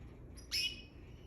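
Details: Canary couple fighting: a single short, sharp chirp, high and bright with a buzzy edge, rising out of quiet background hiss.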